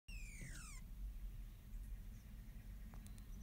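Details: One of a pair of Audubon's orioles on a property in Southwest Texas gives a single sweet, whistled note that slides steadily downward, over a steady low rumble of wind or handling noise.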